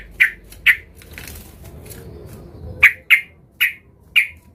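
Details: Agitated yellow-vented bulbul looking for a rival gives sparse, loud single chirps, several seconds apart at first, then closer together, over a faint noisy background.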